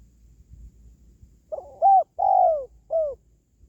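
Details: Single cooing phrase from a spotted dove, meant to boost a kept bird's morale or attract wild doves when trapping: a short coo, a higher held note, a long descending coo, then a final short note.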